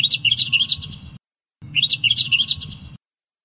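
Australian reed warbler gives two bursts of rich, varied chattering song, quick scratchy and fluty notes tumbling together, separated by a short silence, over a low background rumble.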